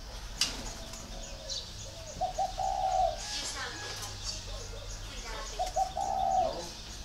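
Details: Spotted dove from northern Vietnam giving two low cooing phrases, each a short stuttered lead-in then a longer throaty coo about three seconds apart, over faint voices and rural background hum.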